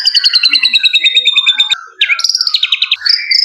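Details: Male white-rumped shama delivering a fast, steady trill of repeated notes that gently descends, then a break followed by bright, higher whistled and buzzy phrases.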